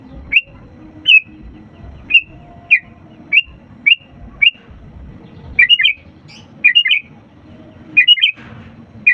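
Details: Sooty-headed bulbul in full song, played to get lazy birds singing: a steady run of short clear whistled notes, roughly every half second, then turning into quicker bubbly doubled and tripled phrases, with soft low rumble behind.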